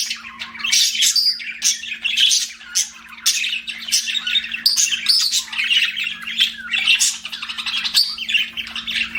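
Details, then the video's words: Budgies chatter with a lively run of bright chirps, scratchy squawks and short warbled phrases, several pet birds calling together without pause over a faint steady hum. "BUDGIE CHIRPING SOUNDS"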